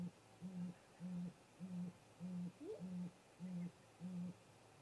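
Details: Great grey owl pair visiting their snag-tree nest at 18:58 MDT on 13 April 2018, in late-afternoon daylight, on a remote nest camera. About eight deep, soft, even hoots follow one another every half second or so. A single short rising higher note comes midway.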